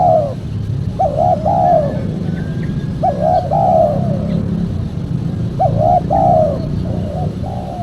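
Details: Spotted dove caller recording: three phrases of paired short notes and a drawn-out descending coo, about every two and a half seconds, over a steady low engine-like rumble.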